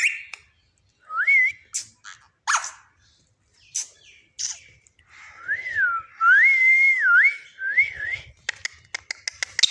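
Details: Pet parrot whistling a wavering up-and-down phrase several times in a row, preceded by harsh squawks and followed by a series of clicks.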